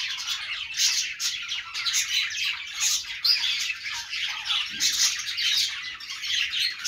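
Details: Budgerigar flock noise: constant high chattering made of overlapping warbles, squeaks and harsh little squawks, rising in brief louder surges.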